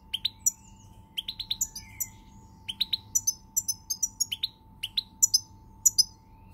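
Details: Song of a European goldfinch recorded 20 March 2020, a lively stream of bright chirps, liquid twitters and brief nasal buzzes delivered in quick clusters, a constant low hum running underneath.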